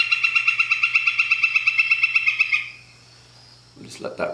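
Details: A played-back recording of a Northern Flicker, used for comparison with the Pileated Woodpecker: a rapid, even series of loud ringing notes, about three per second for 2.5 seconds, then a man speaking.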